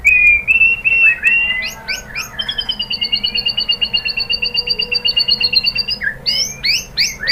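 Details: White-rumped shama song used as a lure to stimulate other birds to sing: a few sharp whistles, then a long, steady, rapid high trill lasting about four seconds, ending in a burst of sharp chipping notes.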